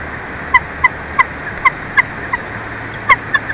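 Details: Bald eagle calling at its nest at Big Bear Lake around incubation shift changes: short, thin, separate chirped notes spaced roughly every half second, with a steady background hiss throughout.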